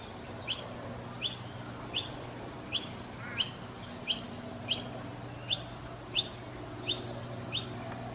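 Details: Young noisy miners in Brisbane calling with thin, high-pitched chips repeated roughly every two-thirds of a second, regular and insistent, with faint low rumble behind.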